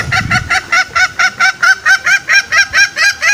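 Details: Green junglefowl call used as a trapping lure to coax wild males out: a steady, rapid run of about thirteen short nasal honks, roughly four each second, evenly spaced.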